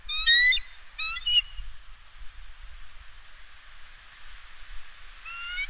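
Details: Bald eagles at the West End nest on Catalina Island, swapping incubation duty on the eggs: high, thin piping calls in quick chittering bursts, two near the start and another after five seconds, with steady hiss between.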